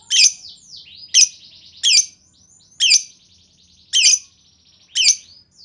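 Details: Lovebird chatter used to lure others into replying: loud harsh notes about once a second over softer continuous twittering and buzzy trills.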